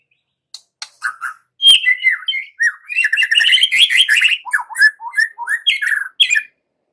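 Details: White-rumped shama song, played as a lure to set young wild-caught and pastol birds singing: loud, rapid run of varied whistles, chirps and slurred notes, rising and falling in quick bursts, with sharp clicks at the start.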